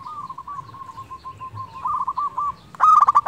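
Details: Zebra dove, a local bird singing tirelessly as a lure for silent doves: a long series of soft, rhythmic coos building slightly, then a sudden loud, rolling stutter at the end.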